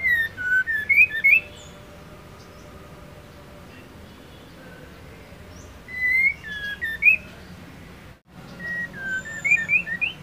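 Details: Female white-rumped shama singing to stir males into song: bursts of clear, sliding whistled notes with sharp high clicks at the start, near six to seven and a half seconds, and again near the end, separated by quiet hiss.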